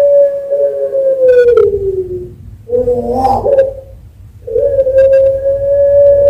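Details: Champion long-voiced Barbary dove of the puter pelung type, kept at a bird farm in Sambirejo, Sragen, Central Java, Indonesia, used to tutor and spur other doves: drawn-out steady cooing note, a burbling throaty middle, then another long even coo.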